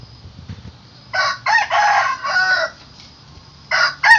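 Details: Rooster crowing in the morning: one full multi-syllable crow, a harsh, rich cock-a-doodle-doo of four broken phrases lasting about one and a half seconds. After a pause, the start of a second crow follows. A faint low hum lies underneath.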